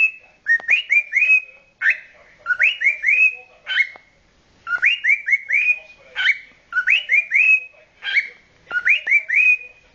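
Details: A 9-month-old male cockatiel sings a courting song of bright, rising whistles in quick bursts of three or four notes, with short pauses between phrases.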